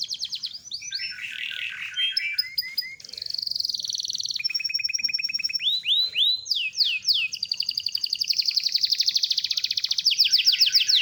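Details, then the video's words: Canary singing a long rolling song: varied phrases of rapid trills, buzzy rattles and descending sweeps, ending in a sustained, very fast repeated trill that grows louder. "BURUNG KENARI LOPER GACOR SUARA SUPER"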